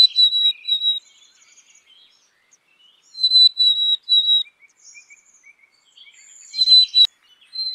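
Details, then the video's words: Black-capped chickadee giving pure, high whistled notes in short runs of two or three, repeated about every three seconds, with faint soft chips between phrases. "Black capped Chickadee Song"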